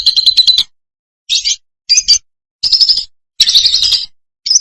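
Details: Loud lovebird song from Indonesia, used as training for birds in moult or reluctant to sing: six bursts of rapid, buzzy chattering trills, each under a second long, separated by short silences.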